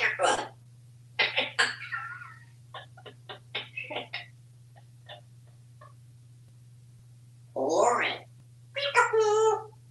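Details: Pet African Grey Parrot at home in Texas babbling a run of quick clipped syllables, then after a silence two longer, fuller mimicked phrases with tonal, wavering parts; steady low hum throughout.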